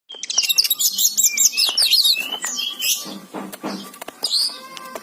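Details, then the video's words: Oriental magpie-robin singing: a quick run of high, sharply repeated whistled notes opens, followed by softer scratchy chatter and a faint whistle near the end. "Suara burung kacer gacor"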